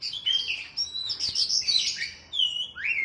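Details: Oriental magpie-robin song meant to train a kept bird, matched with sooty-headed bulbul: dense high trills and sweet whistles, a short pause, then a rising slurred whistle.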